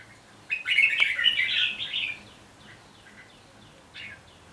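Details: Fighting song of a red-whiskered bulbul: one loud, rich warbling phrase lasting about a second and a half, followed by faint softer notes and a brief closing chirp.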